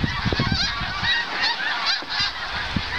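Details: Large flock of snow geese flying overhead in the morning on autumn migration from the Arctic toward the Carolinas, over a farm in Farnham in the St-Lawrence lowlands, Quebec; a dense continuous cacophony of overlapping high yelping honks, with low thumps and rustling nearby.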